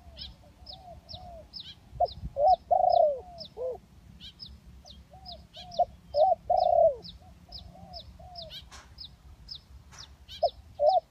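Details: Spotted dove luring call from hybrid and village doves: loud, mellow rounded coos grouped in short bursts, spaced by softer downslurred notes, over a continuous string of thin high chirps and a few sharp clicks.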